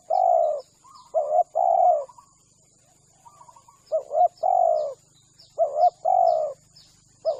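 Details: Spotted dove coos used as a hunting lure: repeated mellow coo notes near one kilohertz in pairs and longer drawn notes, with a steady high insect whine and small chirping birds in the background.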